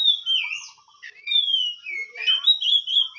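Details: Hot-tempered oriental magpie-robin giving clear, sliding whistled phrases, some falling and some level, linked into a continuous varied song with brief buzzy notes between.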